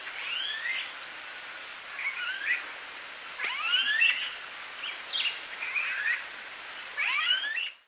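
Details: Smooth-billed anis in Viñales, Cuba, in July 2017, giving whining, upslurred whistles, several birds overlapping every second or so, over a steady high insect hiss.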